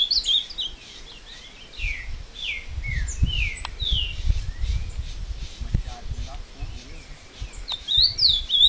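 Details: Captive ultramarine grosbeak fighting a wild bird in woodland at Passos, Minas Gerais. A phrase of descending slurred whistles repeats about twice per second, then a brighter warble closes it. Low rumbling handling or wind noise is heard throughout.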